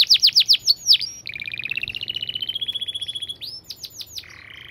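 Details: Canary delivering a fast, tightly spaced song: five loud downslurred notes, a rapid rolling trill that slides gently upward, then quick sharp notes and a short buzzy ending.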